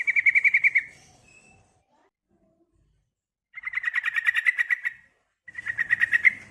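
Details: Female yellow-vented bulbul calling to a male: three bursts of rapid, bubbly pulsed chattering, each lasting about a second, separated by silent pauses.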